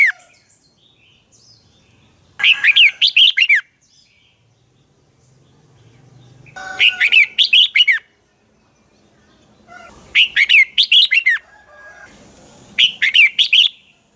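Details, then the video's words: Red-whiskered bulbul lure bird in dueling song, used to train and stimulate other bulbuls: four separate bursts of six to eight loud, rollicking whistled notes, spaced a few seconds apart, with quiet gaps. "chào mào hót đấu"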